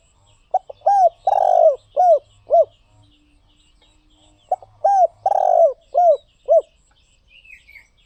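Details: Cooing song of a spotted dove, two matching phrases of short hoots with one long throaty coo in the middle, roughly four seconds apart, over a quiet background with faint distant bird chirps near the end.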